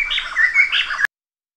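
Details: Short, bright phrase of a Black-hooded laughingthrush: a quick string of clear whistled and slurred notes lasting about one second, then cut off.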